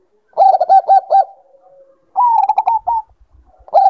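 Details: Zebra dove giving quick, bubbling staccato coos in two rapid runs of about five notes separated by a brief pause, presented as a female calling a male and used to trigger singing; soft low hum behind.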